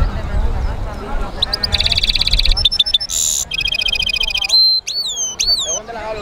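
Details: Singing European goldfinch mule with bright rattled trills, a rasping buzzy burst, more fast trills and curved whistled slurs, over low rumbling and background twitter from other birds.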